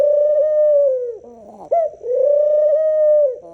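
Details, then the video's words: Two long, even, low coos from a dove, separated by a short rough, buzzy sound, each tone held steadily and dropping slightly as it ends. "dove making sounds"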